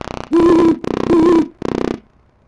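A horned owl gives three low, steady hoots in quick succession, each about half a second long, with a rough, pulsing edge between them.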